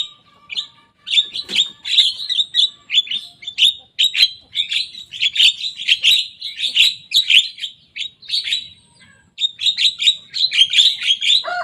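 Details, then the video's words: A young Javan myna singing steadily while copying rivals' songs, kept as a pet: long run of rapid clicking, chattering notes repeated several times per second, broken by brief pauses, ending in a lower squawk. "Jalak kebo muda gacor bongkar suara lawan."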